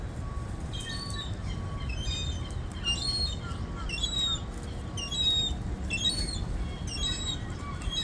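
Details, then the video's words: High, piercing gull cries asking for food, irregular clusters of short harmonic notes with a few sliding squeals, a soft steady hum underneath. "look how a Gull is crying for food"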